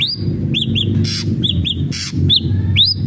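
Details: Ashy drongo in full song, played to prompt a newly kept bird to sing: short arched whistles alternating with two harsh, hissing bursts, over a low rumbling background.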